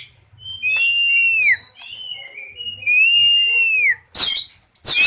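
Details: Oriental magpie-robin in breeding condition singing energetically: two long, clear whistles that slur downward at the end, each about a second, joined by shorter whistled notes, then sharp harsh bursts near the finish, with a low background hum.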